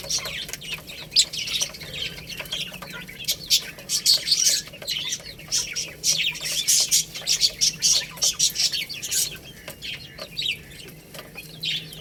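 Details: Feeding chicks pecking at rice chirp steadily in high, thin peeps, with a rhythmic run of louder chirps in the middle and clicking throughout.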